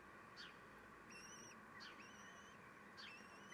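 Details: Nest of common kestrels at feeding time, the male taking food: brief descending squeals alternate with longer drawn-out, level whines, over a steady hissing background.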